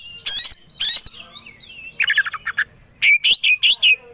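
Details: Agitated Oriental magpie-robin (kacer) song meant to stir a rival to fight: two loud buzzy rasping notes, a stuttering series of shorter harsh notes, then four strong whistled bursts.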